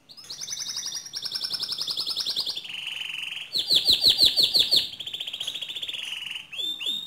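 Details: Canary song meant to provoke another canary to sing: long sustained rolling trills shifting between pitches, with a stretch of rapid chopped notes in the middle and a closing downslurred pair.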